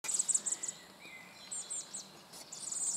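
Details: Common blackbird young being fed by a male; very high, thin chirps in quick stuttering bursts at the start and near the end, with a brief level whistle in between and soft background hiss.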